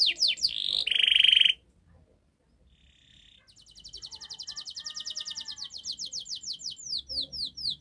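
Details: Canary master song for prompting a silent bird to sing: bright whistled phrases and a short harsh buzz, a brief quiet pause, then a fast even trill of repeated chirps about four per second.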